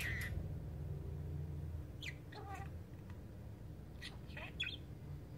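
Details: Pet talking budgerigar sleep-talking, muttering soft, scratchy chirps and squeaks over a low background hum; elsewhere it laughs and says "I am sleepy."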